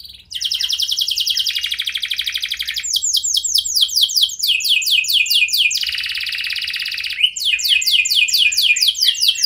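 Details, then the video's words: Singing canary used as a lure to make other canaries respond: a loud, continuous song of fast trills, changing every few seconds between rapid buzzy rattles and sweeping down-slurred whistled notes. "Pasti Kenari Lain Langsung Respon Dengan Pancingan Kenari Gacor Lagu Istimewa Ini"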